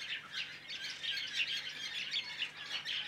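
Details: Large mixed flock of woodswallows, mainly White-browed with some Masked, giving a dense, continuous chatter of overlapping high chirps and squawks that pulse in volume.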